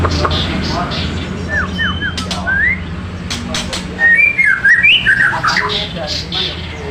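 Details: Magpie robin from Indonesia in full song: a varied run of rising and falling whistled slurs and quick chirps, some sharp clicks, with a low rumbling background and faint voices.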